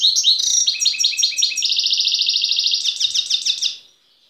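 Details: Wild European goldfinch recorded in Tiaret in 2015, singing a fast, bright, high-pitched stream of tinkling twitters and chirps, with a dense buzzy trill in the middle and quick repeated notes near the end, before fading into silence.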